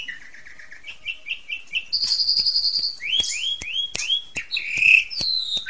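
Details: Song of an Asian pied starling played as a master for training juveniles: a soft series of repeated short phrases, a buzzy high stretch, rising slurred whistles and scattered clicks.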